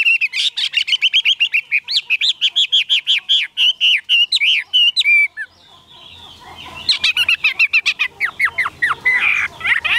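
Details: Caged Chinese hwamei delivering a fast, steady run of short repeated whistled notes for about five seconds, a brief lull, then another burst of rapid varied notes.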